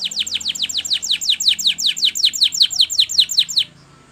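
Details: Training song of a canary: a steady series of bright downward-sweeping whistled notes, about four per second, lasting over three seconds before stopping abruptly into quiet.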